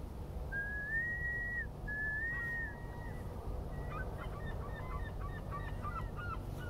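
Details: A Herring Gull by water near the coast in an industrial shipbuilding area gives two long, drawn-out mewing wails, then a quick run of short, yelping notes, over a steady low background rumble.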